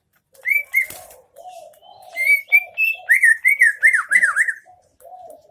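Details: Greater green leafbird, Aceh Tengah, singing 'isian MB': a few lower mellow notes, then a rising string of whistles turning into rolling, looping slurs, with soft lower warbles mixed in.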